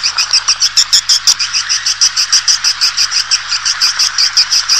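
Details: Swiftlet lure recording played to attract swiftlet colonies into a nesting building: dense, high twittering chatter with bright chirps pulsing about three times a second and no other sounds.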